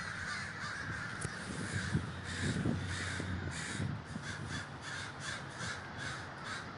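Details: Crows gathered in large numbers in Davis, California, a thick wash of overlapping harsh caws throughout, with low rumbling noise underneath.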